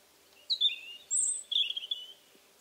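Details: Short burst of European Robin song on a warm October 2014 evening at an old Alentejo farmhouse: a descending sweet slur, a very high thin whistle, then a rippling trill.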